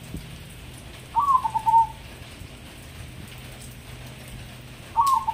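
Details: A captive crossbred zebra dove from Semarang, Indonesia, said to call morning, noon and night, gives a soft, stuttering coo that slides slightly downward, with a second phrase starting about four seconds later over faint background hiss.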